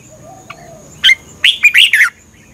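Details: Red-whiskered bulbul from Thailand, recorded for training or exciting birds: one sharp note, then a rich cluster of four quick, slurred whistles, over a faint steady high-pitched background tone.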